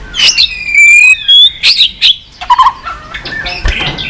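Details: Rousing 'tạch' song of a white-rumped shama, used to spur a weak-spirited bird: long clear whistles sliding up and down open the phrase, followed by clipped chattering notes and sharp clicks.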